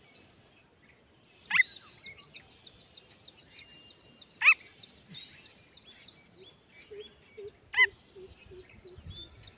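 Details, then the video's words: A baby pheasant chick gives three loud, high, sharply arched peeps a few seconds apart, over a steady background of thin insect-like chirping and softer bird notes. "Sweet voice of baby pheasant || teetar ke bache ki pyari aavaz"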